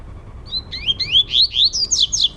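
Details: Indoors, a trovoada-style male Double-collared seedeater competes in song with another male; a fast series of about ten upslurred whistles that climb from mid to high pitch and grow louder.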